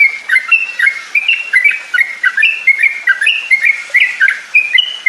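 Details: Yellow-vented bulbul song played as a lure to get birds singing and trilling: cheerful whistled notes, some slurred, delivered in quick bouncing phrases.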